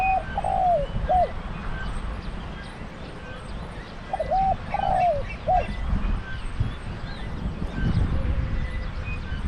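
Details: Caged spotted dove used for decoy trapping in Thailand sings two three-part coo phrases about four seconds apart. A fainter, flatter, more distant coo follows near the end, with continuous low rumble in the background.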